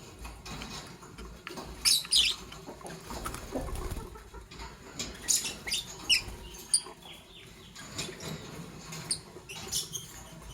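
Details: Morning chirping from green Fischer's and pastel blue lovebirds: sharp, squeaky high chirps scattered through the clip in loose clusters, with soft rustling and patter underneath.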